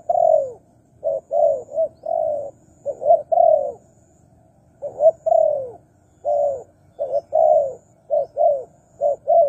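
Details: Wild-dove lure of spotted dove calls: repeated mellow coo phrases mixing short paired notes and longer downward-curving coos, nearly continuous, with a faint persistent high tone behind.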